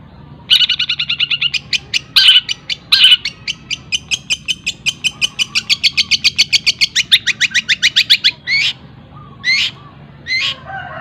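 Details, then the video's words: Cendet tutor song with imitated fills: a fast chipping trill, a few loud sharp notes, then a long even run of quick ticks, closing with rising whistled slurs and a harsh call. "CENDET ISIAN TENGKEK BUTO SPEED RAPAT SAMBUNG GREJA SAMBUNG KUNTI"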